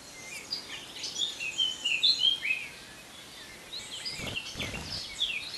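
Azores bullfinch giving a run of short, high chirping and whistled notes for about three seconds, followed by brief rustling bursts against steady outdoor background noise.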